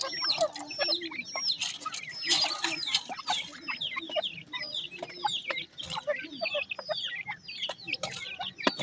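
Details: Grey francolin (teetar) chicks calling: a dense chorus of short, high, downslurred peeps, many overlapping and irregularly spaced, with occasional louder bursts and faint background rustling.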